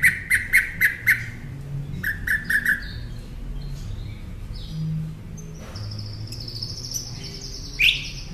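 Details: Northern mockingbird song used as a master for caged songbirds: rapid sharp repeated notes in two quick series, then quieter, drawn-out high whistles and one final rising note.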